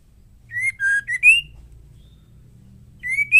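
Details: Female murai batu, or white-rumped shama, singing as a lure for males; a clear whistled phrase of level, lower and rising notes, a pause, then the next phrase starting, with faint hum behind.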